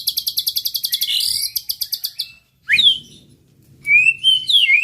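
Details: Provocation song of a white-rumped shama: fast train of high pulsed chips, a silence, an upslurred whistle with harsh overtones, then sweeping whistled phrases that rise and fall.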